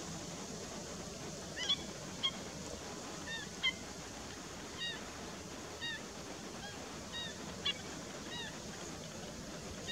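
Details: Black-winged stilt giving short, sharp yelping notes spaced irregularly a second or so apart, fairly faint against a steady broad background hiss and low rumble.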